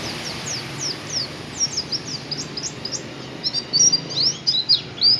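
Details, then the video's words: Oriental white-eye singing in the canary-like tembakan kenari style: rapid, thin, high chirps and down-slurred tweets, growing denser and louder toward the end, over a soft background rumble. "BURUNG PLECI DAKUN.pleci tmbakan kenari"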